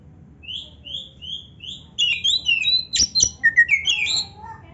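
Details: Oriental magpie-robin in 'full isian narung' singing style, a master for training other birds: four short rising whistles repeated about every half second, then a dense run of varied whistled phrases with two sharp clicks.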